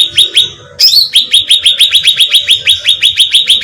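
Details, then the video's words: Bait recording of a cucak ranting bulbul: two chirps, one sharp slurred note, then an even, fast train of bright chirps, about four per second. "suara pancingan cucak ranting terbukti ampuh membahana"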